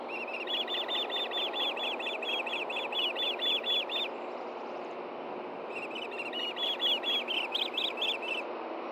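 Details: At a Hellgate Canyon, Montana nest, a male osprey brings a fish to the female on a June morning; a long rapid string of shrill whistled chirps, a brief pause, then more of them, over steady broadband rushing noise.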